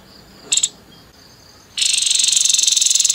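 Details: Harsh 'nembak kasar' singing of a grey-headed babbler: a brief doubled buzzy note, a gap, then a long, steady, rasping high-pitched pulsed trill.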